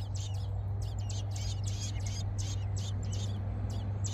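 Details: American robin nestlings in a nest in a blackberry bush, being fed by their mother, give thin, high, squeaky begging notes, several each second in a rapid ragged run, over a steady low hum.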